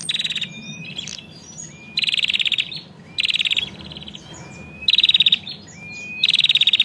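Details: Female bar-winged prinia calling in lively narung style to stir a male into singing: five harsh, rapidly pulsed buzzy bursts spaced roughly one to two seconds apart, with faint rising whistled notes and twitters between them.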